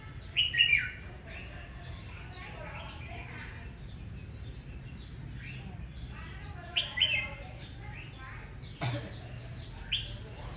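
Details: Morning fighting song of a red-whiskered bulbul, sung aggressively: loud, sharp, slurred phrases open and recur later, with busy lower twittering filling the gaps and one brief click.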